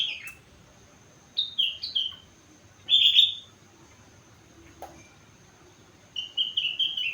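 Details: Four-month-old sooty-headed bulbul singing learned rengganis and cucak wilis phrases: scattered short whistled snatches, a loud clipped burst near three seconds, and a slightly warbling level trill near the end.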